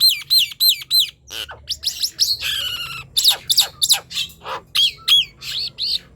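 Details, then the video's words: Nias hill myna in full, lively song, played to lure silent birds of its kind into singing. Loud, sharp, arching whistles come in rapid bursts of about three notes a second, broken by rasping, harsh stretches. A faint low hum runs underneath. "Ocehan Jalak Nias Gacor | Silahkan di coba untuk pancingan bunyi jalak nias yang diam"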